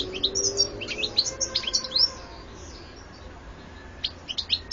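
European goldfinch song: a quick, tinkling run of high, liquid chirps and twitters for two seconds, a pause, then a brief second burst.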